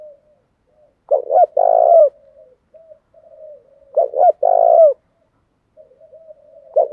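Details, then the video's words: Top-quality caged spotted dove in the calling-plus-urging coo style, aimed at making wild doves coo fast: two full low phrases, stuttered intro then a long hoarse note, with soft muttered coos between. "Tiếng chim cu gáy hàng cực phẩm THÚC cực sung kích thích bổi rất nhanh gáy và nổi nhanh"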